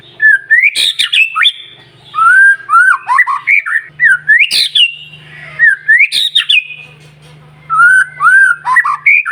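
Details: Loud, persistent white-rumped shama song, used to provoke and excite other shamas: repeated whistled phrases mixing swooping notes and sharp high squeaks, roughly every two seconds, over a faint low hum.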